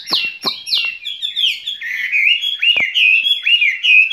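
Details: Caged skylark in spring song: two sharp clicking notes start a loud, sweet, rolling warble of slurred phrases that runs on without pause.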